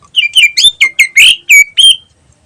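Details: Greater green leafbird singing lively as a lure: a quick run of eight loud varied whistled and slurred notes, several dropping or rising sharply, ending in a clear drawn-out whistle.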